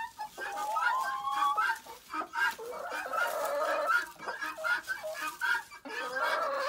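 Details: A flock of chickens in their pen chatter loudly during feeding and cleaning; long wavering squawks early, then dense overlapping clucks and short cackles, with scratching in leaves and bedding.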